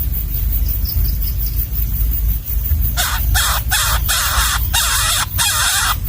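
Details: Wild nestling fed a gecko by its parent: quiet low rumble at first, then a burst of loud, harsh, scratchy begging calls repeated rapidly through the second half.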